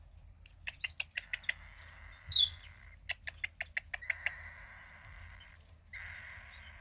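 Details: Fifteen-day-old cockatiel chick, a female with a sister from the same hatching. A sustained hoarse, buzzy tone runs alongside rapid repeated clicking ticks, with one short high squeak in the middle.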